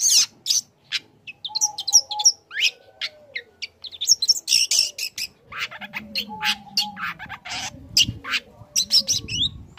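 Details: Young long-tailed shrike singing learned material meant to goad other shrikes into calling: fast run of scratchy, buzzy notes and sharp chips, with a short whistle and a low droning background sound partway through.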